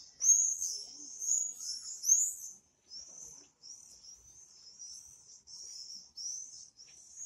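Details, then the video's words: Swifts calling in flight: shrill, high-pitched screaming trills in a run of bursts, the first three loud and rasping, then shorter, fainter screams repeated about every 0.7 seconds, with no other clear sounds. "Пение стрижей. Спів стрижів. Singing swifts"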